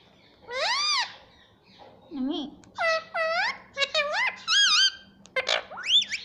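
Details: Pet rose-ringed parakeet talking, repeating a word like "mummy" as a string of loud, clear, arched two-part whistled syllables, some rising, some dipping, with short pauses between, plus a lower squeaky note in a quiet room.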